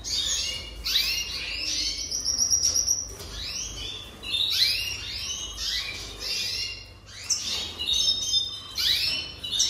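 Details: A jasper canary sings a lively, continuous song of fast descending sweeps, chattering trills and thin high whistles, repeated phrase after phrase with barely a break, over a faint low hum.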